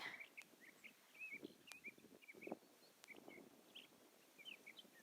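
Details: In the sagebrush of the Mono Lake high desert a sage thrasher pours out a beautiful, endless song: rapid slurred whistles and chattering warbles run together without pause, with faint rustling and a few clicks underneath.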